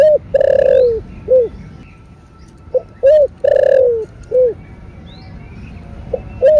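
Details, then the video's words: Spotted dove (cu gáy, cu đất) cooing in the thổ bầu voice style, a calling and urging coo meant to rouse other doves. Two phrases, each a short note, a long hoarse slurred coo falling at the end, then a short closing note. A third phrase starts at the end. "Cu gáy giọng thổ bầu GÁY GỌI + THÚC . Tiếng Chim Cu Gáy Kích Bổi"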